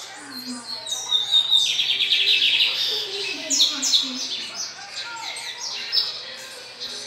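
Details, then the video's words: Lined seedeater, called bigodinho in Brazil, singing a fast, varied song of high chirps, buzzy trills and sweeping notes, with a man's low voice faintly underneath. "Vejam Só bigodinho com canto Espetacular!"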